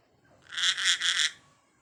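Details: Parrot producing one loud, buzzy, grating call lasting about a second, pulsing three times, in a quiet room.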